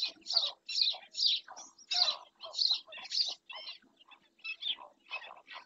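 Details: In Doñana National Park, a black-winged stilt caught on a webcam repeats loud, harsh, nasal yelps at a steady pace of about two per second, then softer, uneven notes follow.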